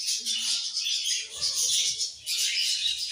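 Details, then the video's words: Budgerigars singing together in the evening, a continuous high twittering chatter of overlapping chirps and warbled notes with small swells in loudness throughout. "𝑩𝒆𝒂𝒖𝒕𝒊𝒇𝒖𝒍 𝑩𝒖𝒅𝒈𝒊𝒆𝒔 𝑺𝒊𝒏𝒈𝒊𝒏𝒈 𝑺𝒐𝒖𝒏𝒅𝒔 𝑰𝒏 𝑻𝒉𝒆 𝑬𝒗𝒆𝒏𝒊𝒏𝒈"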